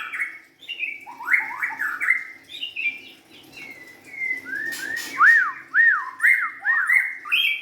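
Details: Young White-rumped shama from the wild giving varied whistled song, soft rising and falling slurs followed by a series of clear repeated arched notes.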